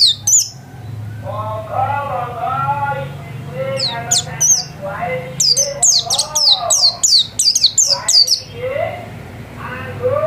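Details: Home-kept white-eye in busy song: clusters of sharp, very high falling chirps, loudest near the end, over lower warbled, stacked phrases and a steady low hum.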